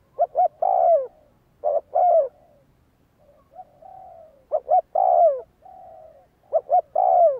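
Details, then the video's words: Four loud cooing phrases from a spotted dove kept for decoy training. Each has two clipped notes and a long downward-sliding coo. Quieter, flatter coos are heard between them, suggesting another dove further off. "Tiếng Chim cu gáy Luyện mồi tập bổi chuẩn"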